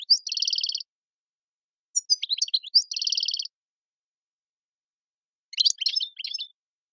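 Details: European goldfinch song, tiwawati style from Algeria: twice a dry buzzing trill held for under a second, alternating with bursts of sharp, jumbled twittering notes.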